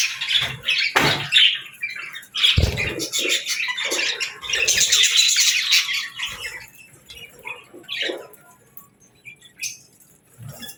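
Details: Pet budgerigar giving scattered harsh squawks and short chirps in bursts, with quiet gaps between, a few low thumps and rustles indoors.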